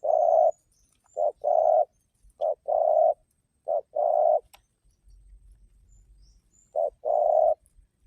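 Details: Spotted dove song, a recording played to lure other doves into calling: pairs of a short coo followed by a longer rolling coo, repeated in a steady rhythm with a quiet pause near the end.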